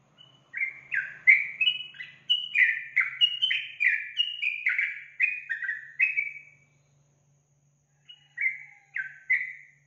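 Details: Yellow-vented bulbul phrases played to get a kept bird singing: a lively series of short, bubbly, downslurred notes, roughly three a second, for six seconds, then a brief pause and a few more notes.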